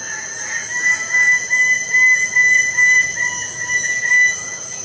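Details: Lesser bird-of-paradise giving a steady series of clear, level notes repeated roughly twice a second, evenly spaced and of similar pitch, over a constant high-pitched background hiss.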